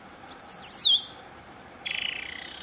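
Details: Black-cowled saltator recorded at Palambla in Piura, Peru: a single phrase. A loud, high whistle swoops steeply downward, then after a pause comes a rasping, pulsed buzz that slides lower.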